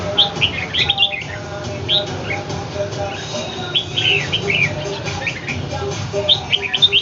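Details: A domestic red-whiskered bulbul faces off against a wild bird in Ho Chi Minh City. Rapid chirpy whistles come in scattered bursts throughout, some rising and some falling, with a constant low droning hum behind.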